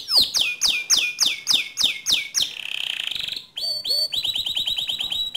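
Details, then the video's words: Canary song to provoke other canaries into song, 'ngerol' and 'nembak' style: loud downward-swooping whistles repeated about three per second, a soft low rattle, then a quick, even trill of high notes. "Pancing Emosi Kenari Anda Agar Cepat Ngerol Nembak Seperti Kicau Kenari Ini"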